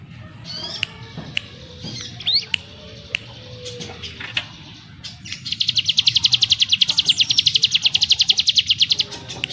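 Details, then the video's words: Ciblek gunung (prinia) singing: scattered thin whistles and sharp clicks at first, then from midway a sustained rapid burst of high, evenly repeated buzzy notes in 'ngebrem' style. "Burung CIGUN ngebrem nembak rapat - ciblek gunung master suara TEGAS"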